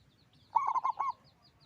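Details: One rolling phrase from a local zebra dove with a big voice: four or five low, throbbing coo notes in quick succession, with soft high twittering of other birds behind.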